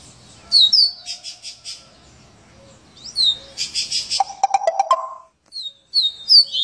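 A Double-collared Seedeater sings its chainsaw-style song: sharp, down-slurred high whistles alternating with rapid, rasping buzzy bursts and a brief lower grating phrase.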